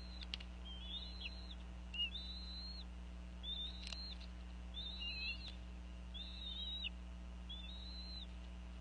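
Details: Series of about six high, piping whistled notes, each bending down at its end, from a female bald eagle vocalizing over a fish while feeding eaglets at a Northeast Florida nest, late afternoon, 2014; steady low hum throughout.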